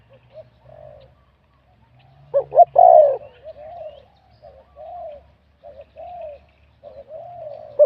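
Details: Spotted dove in a singing competition, a wild-caught bird with medium-to-large voice: one loud phrase of paired short notes and a long rolled coo amid many quiet, soft, drawn-out coos.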